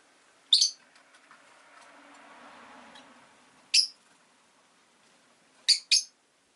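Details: Rosy-faced lovebird uttering sharp, high, squeaky chirps: one, then another after a pause with a soft low hum, then a quick pair at the end.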